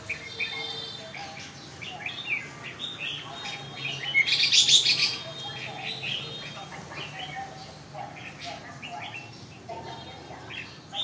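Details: Red-whiskered bulbul giving a run of short, bright chirping and warbled notes, several per second, with a louder burst of rapid notes midway; a faint low hum sits underneath.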